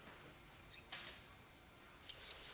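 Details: Blue-eyed little bird singing its daily song: one loud, piercing whistle sliding from high to lower pitch near the end, after faint thin chirps and a soft rustle.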